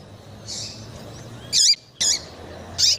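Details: Female Double-collared seedeater (Sporophila caerulescens) calling, a call used to excite males: short, high, chirped notes with slurred upward twists, four in three seconds at an uneven pace, over a faint low hum.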